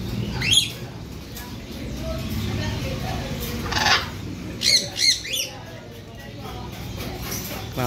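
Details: Young blue macaw, described as hungry and eating, still a baby though large: a harsh, harmonic squawk near the start, then two quick rough squawks later, with people talking in Indonesian and room noise throughout.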